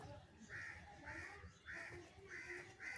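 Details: Crow calling for cheese while being fed: five harsh, nasal caws spaced roughly half a second apart, steady and insistent, over faint background hum.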